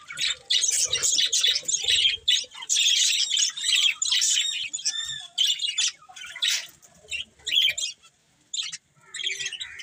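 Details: Budgerigars singing while eating, loud clustered chirps and scratchy warbles in bursts, with a short harmonic squawk midway and quieter pauses near the end.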